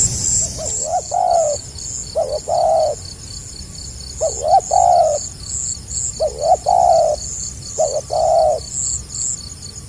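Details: Tekukur (spotted dove) cooing in the stammering 'gagap' style, quieter: each phrase a quick hitched double note then a longer soft coo, five phrases spaced about two seconds apart, with faint high chirping behind.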